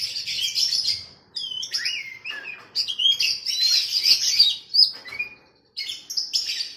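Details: Oriental magpie-robin (kacer) training recording for a captive bird: a rich, varied run of high whistles, slurred sweeps and chattering notes in dense bursts, broken by brief pauses near the middle and end.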